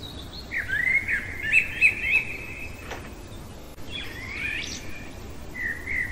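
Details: Common blackbird singing in the middle of the night: warbled, fluting phrases around a steady mid-high pitch, then a squeaky twittering flourish and a short whistled ending, over faint background hiss.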